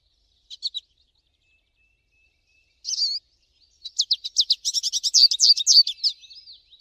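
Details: American goldfinch singing in the wild: scattered short high chirps at first, a single slurred note, then a long, rapid, excited twittering run of high notes.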